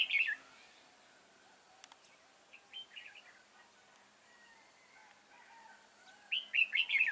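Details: Red-whiskered bulbul serving as a decoy at a trap, 6 October 2018, sings loud whistled phrases at the start and end with softer chattering notes between, each phrase a rapid run of bright notes.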